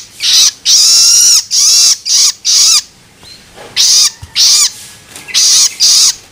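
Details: Juvenile long-tailed shrike begging sound used to stimulate adults: harsh rasping bursts, some long and drawn out, a short silence in the middle, then more quick grating squeals.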